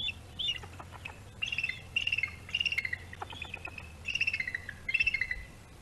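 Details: Bald eagle at a webcam-watched nest on Gabriola island, one bird mantling and keeping prey while a juvenile waits to steal it; high, piping chirps in short descending bursts, repeated in several quick clusters over quiet low rumble.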